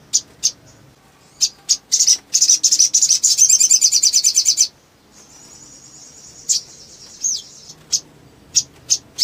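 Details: Little spiderhunter calling hard to spur other birds of its kind to sing: spaced high chips that merge into a long, rapid, buzzing chatter, then a thin high whine and more sharp single chips.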